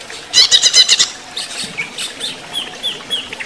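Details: Caged greater green leafbird singing during running-water therapy. A quick burst of about six high, buzzy chirps is followed by softer scattered whistled notes.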